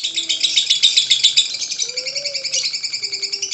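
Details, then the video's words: Lovebird singing, played as a lure to get other lovebirds to sing; dense, high-pitched chattering trill pulsing about four times a second without pause, with faint lower whistled tones underneath. "LOVEBIRD SINGING"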